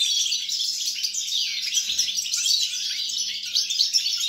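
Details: Goldfinch singing on 29.12.2022, a rapid jumble of high twittering notes and short descending slurs, continuous and lively throughout, over a constant faint electrical hum.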